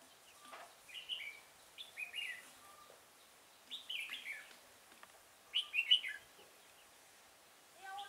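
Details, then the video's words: Red-whiskered bulbul heard at a decoy-bird trapping session at Chùa Hương, Vietnam, 5 March 2018. Brief chirpy warbled phrases are spaced irregularly, with a louder rich phrase near the end and soft clicks between. "Bẫy chào mào Chùa hương ngày 5/3/2018 phần 1"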